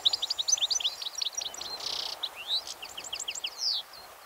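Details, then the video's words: European goldfinch singing from a thin branch at Fowlsheugh: a quick tinkling run of liquid twittering notes and short buzzy trills, high-pitched and varied, over steady outdoor background noise. "Goldfinch (Carduelis carduelis) - singing from a thin branch"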